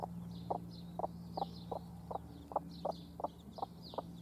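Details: Hens with chicks, domestic chickens recorded in June 2016: short soft clucks repeated roughly every half second, with faint high chick peeps above and a steady low hum behind.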